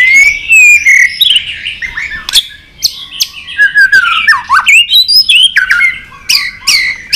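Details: White-rumped shama singing a fighting song for competition, a continuous medley of rich whistled phrases, rising and falling slurs and sharp clicks, delivered loud and varied.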